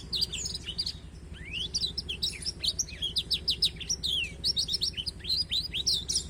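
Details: Black-throated canary song for tutoring a canary: a long, varied stream of high twittering notes, upward-slurred whistles and rapid chip series, loud and continuous, over a soft low hum.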